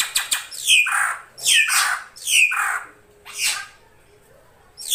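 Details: Female drongo calling to lure a male: harsh, squawky, buzzy calls that fall in pitch, given in a steady series about once a second, with quiet gaps between them.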